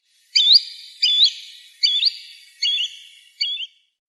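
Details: Green sandpiper call used as a hunting lure: five bright, whistled upslurred notes, each quickly rising, given roughly every 0.8 seconds with a ringing echo trailing after each one.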